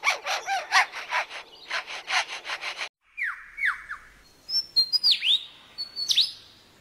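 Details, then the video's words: Male lyrebird in forest mimics a chainsaw heard in the forest, a rapid train of raspy, sawing pulses, then several downward-swooping whistles and sharp high notes, as part of song to outsing rivals and attract females. "Lyrebird repeats sounds it hears in forest (Chainsaw)"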